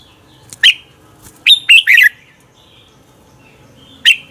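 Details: Red-whiskered bulbul giving morning competition song, used as training audio to push other birds to sing: a short clipped chirp, then a burst of three loud rich warbled notes, a pause, and another bright two-note phrase at the end.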